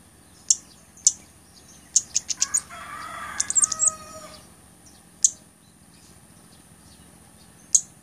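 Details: Blood-breasted flowerpecker (mountain flowerpecker) calling, used as a tutor and lure sound: very high, thin, sharp ticks, scattered singly and in quick bursts, with a brief lower, rougher call in the middle.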